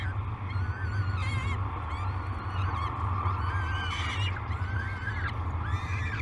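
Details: Peregrine falcon chicks calling at feeding time, Great Spirit Bluff nest, 22 May 2020. Short, rough, wavering squeals rise and fall in irregular bursts over a constant low hum.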